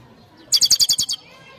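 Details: European goldfinch giving a quick trill of seven sharp, high chirping notes in about half a second, then quiet.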